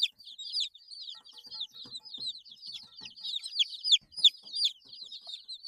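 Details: Several 8-day-old chicks peeping; rapid high, sharply falling cheeps, about three per second, overlapping in a lively continuous chorus.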